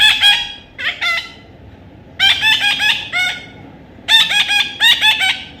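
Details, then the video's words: Baby parrot squawking loudly in three rapid bursts of harsh, nasal notes, each burst four or five calls long, with short quiet gaps between. "natural funny parrot sound"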